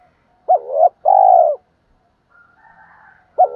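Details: Luring challenge coo of a spotted dove aimed at provoking other doves; one low phrase of a wavering rising note and a long steady coo, then faint distant cooing before the next phrase starts.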